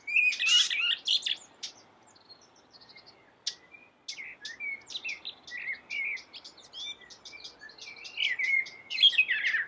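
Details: Common blackbird song, the black bird with a yellow beak singing hard: a loud burst of warbling opens, then scattered clicks and short chirps, quieter phrases, and a final strong warbled flourish.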